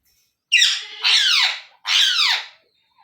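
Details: Baby Indian ringneck parrot producing three long, loud, harsh screeches, each a drawn-out grating cry of about half a second to a second.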